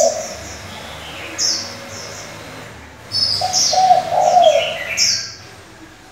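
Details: Decoy spotted dove changing its voice, used for stimulating and training young doves; quiet opening coo, then a longer low cooing phrase after three seconds, with scattered high chirps from other birds.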